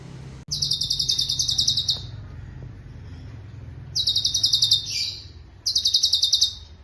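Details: Cucak cungkok, a bird kept as a singing master for other songbirds and able to imitate other species. A sharp click, then three fast, high, buzzy trills lasting about one to one and a half seconds, over a steady low hum.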